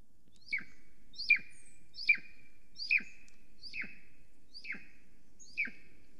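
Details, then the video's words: At an Estonian nest on 13 July 2020 around 9:53 am, a female Golden Eagle calls while preening and flying around the nest. Seven clear, piercing notes, each a high whistle dropping steeply in pitch, repeat roughly every 0.8 seconds. "She is calling & preening, Flew calling around the nest"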